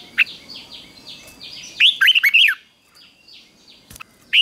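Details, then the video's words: Red-whiskered bulbul in a morning training session of fighting song meant to rouse newly caught birds. A single rapid phrase of four or five clear, looping whistled notes stands out between softer scattered chirps over quiet background hiss. "Luyện chào mào hót sáng | chào mào hót đấu"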